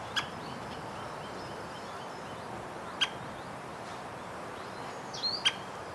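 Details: White-backed woodpecker, Hokkaido's Ezo subspecies, uttering three short sharp call notes a few seconds apart, with a brief whistle of another bird near the end over steady background noise; captured with a Nikon COOLPIX P950.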